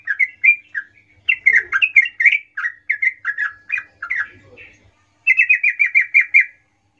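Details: Sooty-headed bulbul lure song in the lively 'gacor ngerol' style, meant to call companions and draw a quick response from young birds: bubbly whistled phrases near the same pitch, ending in a fast even series of about eight notes.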